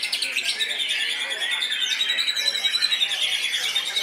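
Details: White-rumped shama singing aggressively at a songbird contest, first-place winner of its class: dense, rapid run of bright whistled and chattering notes with a sustained high whistle line, overlapped by other singing birds and faint crowd noise.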